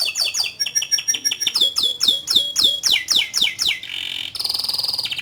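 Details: Canary singing a long, lively song: fast repeated sweeping chirps in rapid series, a run of lower bouncing notes, then a sustained buzzy trill at the end.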